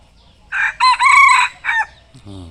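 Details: A rooster with a fluffy, cotton-like plumage and a tail reaching the ground crows loudly: a short opening note, a long harmonic middle phrase, then a brief final note, followed by a man's voice.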